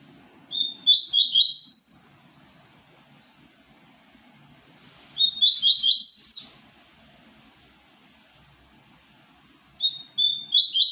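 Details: Three rapid twittering phrases from a papa-capim seedeater, each a tumbling series of high chirps ending in a rising note, delivered roughly every four to five seconds with quiet gaps.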